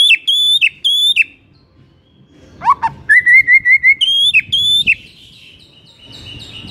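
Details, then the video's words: White-rumped shama singing in the morning in a loud 'ngeplong' style: bright high whistles with sharp downward flicks, one low rising note, and a rapid series of level repeated whistles. A quiet pause falls midway. "bikin Murai MACET auto GACOR NGEPLONG seketika"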